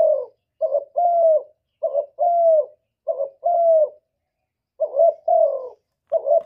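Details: Spotted dove repeats its coo in the style called 'gọi một hậu ròng': a quick low note, then a sustained downslurred coo, about five phrases with one longer pause near the middle.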